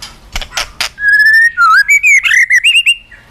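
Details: White-rumped shama, a tame bird singing energetically with many varied phrases, suited for luring birds: a few sharp clicks, then a long steady whistle followed by rapid rising and falling whistled notes around the same pitch.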